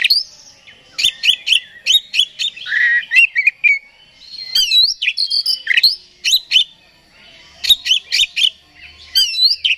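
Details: Oriental magpie-robin song for provoking another bird, with rapid high chips, whistled slurs and scratchy phrases in bursts separated by short pauses.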